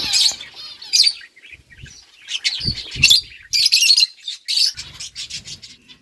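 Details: Several lovebirds eating boiled rice chirp in sharp, high, harsh bursts, overlapping in irregular clusters with brief pauses between.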